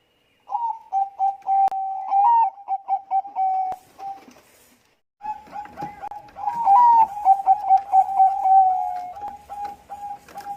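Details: Lure song of a Bangkok zebra dove, meant to prompt other doves to sing: rapid strings of clipped, steady-pitched coos with occasional rising flourishes, a brief pause, then a longer, denser burst of the same bubbling notes.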